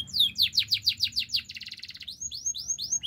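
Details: Canary pouring out fast descending swept notes, a short buzzy rattle, then several arched rising whistles in quick succession.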